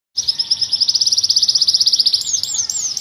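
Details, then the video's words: Loper canary singing an ornamented song: a rapid, even trill of high clipped notes, about twelve per second, then sliding whistled phrases at the end, over a low background rumble. "KENARI LOPER TAPI CENGKOK LAGUNYA BIKIN TERPESONA"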